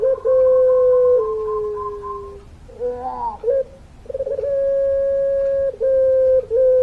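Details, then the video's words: Puter pelung dove in full, lively long-voiced singing: steady drawn-out cooing tones lasting over a second each, one sliding slowly downward, broken by a short warbling gurgle, then a long level coo repeated with brief breaks. "Puter Pelung Gacor Suara Panjang, Manggungnya Bikin Adem"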